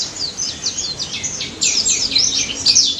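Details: Lively daput white-eye song from the wild, meant to spur silent white-eyes: short bursts of high, downward-swept chirps about twice a second, growing louder and thicker toward the end.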